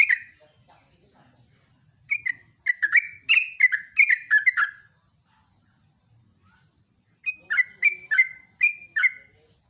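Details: Morning ropelan song of a yellow-vented bulbul, busy and prolific: clusters of short liquid whistles, each dropping in pitch, run together in two dense bursts separated by a couple of seconds of quiet.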